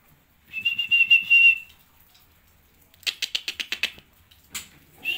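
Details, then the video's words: White-rumped shama in a breeding cage: a steady high whistled note held for about a second, then a quick run of about eight sharp clipped notes, ending with short bright chips. "Murai batu di sangkar ternak"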